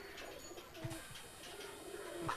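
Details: Teddy Kamagar pigeons kept for sale at a breeder's home give low, soft coos in short bursts, with scattered clicks and handling noises around them.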